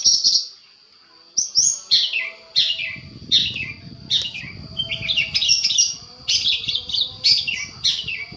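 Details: Long-tailed shrike master recording used to draw angry replies: a string of short, harsh scratchy phrases repeated roughly every half second to second, growing denser toward the end, with a soft low rumble midway.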